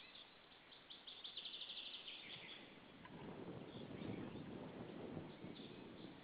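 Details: Evening of 26 April 2013 at a white-tailed eagle nest in Saunja, Estonia: the pair, newly arrived, shouts at another eagle. A quick string of high yelping notes gives way to loud, low wind rumble with faint calls.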